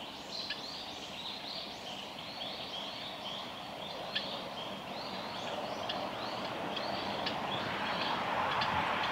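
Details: Oriental greenfinches, male and female, at the Kita-Fuji training area on 30 May 2021, give quick, high twittering notes about four times a second over a steady rushing background noise that grows louder.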